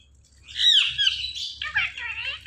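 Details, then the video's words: Indian ringneck parakeet produces shrill, piercing squawks that sweep downward, followed by a rough, buzzy run of high chattering syllables over a faint low hum. "These Ringneck Parakeets Are The Best Talking Parrots"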